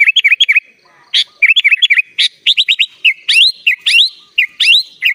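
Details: Dense 'gacor full isian' song from a sooty-headed bulbul. A nearly unbroken stream of looping whistled notes and upward-sweeping chirps runs throughout with only brief pauses.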